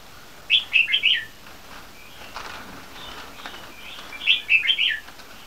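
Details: Young caged bulbul crossbreeds, red-whiskered by yellow-vented, three months old, from a champion bloodline: two short bursts of four or five quick, bubbly whistled notes about four seconds apart, with soft faint chirps between.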